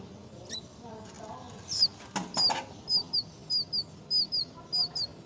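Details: Myna at its nest with young: a flurry of wing flaps, then clear, high, down-slurred chirps given in pairs at an even pace, about twice a second.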